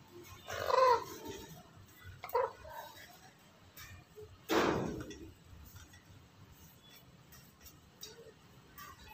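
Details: A talking black-headed lory gives three loud, harsh squawks spaced a couple of seconds apart, the middle one short and clipped, with quieter chatter and background noise filling the gaps.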